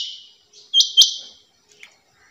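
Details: One loud pair of high, sharp notes from a female rain quail, followed by a fading tail and faint chirps.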